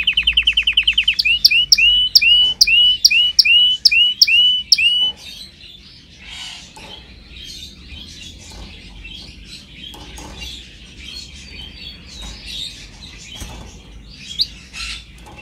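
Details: Canary song from a training recording: a quick rattle, then eight ringing upswept whistles at a steady pace, followed by softer scattered chirps and twitters from other birds in the background.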